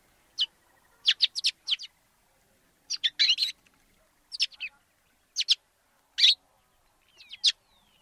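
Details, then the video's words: In Africa a sparrow chatters in quick clusters of two to four clipped chirps, separated by short pauses, the notes high and abrupt against a silent backdrop. "Воробей. Африка. Голоса птиц"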